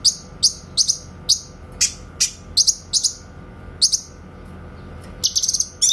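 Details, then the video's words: Grey-cheeked bulbul in clear tembakan (shooting) style, meant for training white-rumped shamas: irregular sharp, high whip-like notes, some doubled, ending in a quick rattled cluster. "MASTERAN BURUNG CUCAK KINOY SUARA TEMBAKAN JERNIH"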